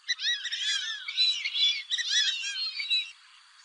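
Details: Fulvous whistling duck calls, from a recording used for hunting: overlapping squeaky whistled notes that arch up and fall, packed into rapid clustered bursts for about three seconds before fading to quiet.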